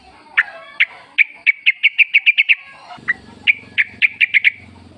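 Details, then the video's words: Yellow-vented bulbul calling in the wild forest, used as a lure to make caged birds sing; spaced chirps quicken into a steady run, pause, then another series, with a low hum underneath later on. "trucuk gacor ngalas full suara alam ampuh buat pancingan agar bunyi jadikan trucukmu gacor nyaut"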